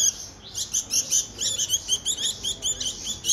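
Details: Bulbul nestlings fed by hand chatter in high, scratchy peeps, closely spaced and insistent, several per second throughout.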